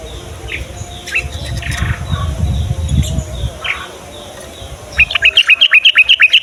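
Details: Morning song of a yellow-vented bulbul, used to get young males and females singing: after quiet scattered chirps and low rumble, a sudden rapid string of loud, bubbly repeated notes closes the recording.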